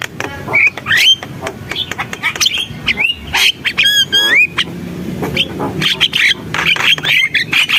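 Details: Javan myna in gacor song: harsh chatter mixed with clear whistled slurs, some rising and some falling, and a run of looping whistled notes in the middle before more rapid scratchy phrases.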